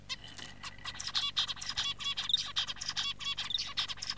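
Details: Male zebra finch song: an introduction, then repeated phrases of quick, harsh, buzzy, nasal syllables with bright high notes; the song is shorter and simpler than a male canary's.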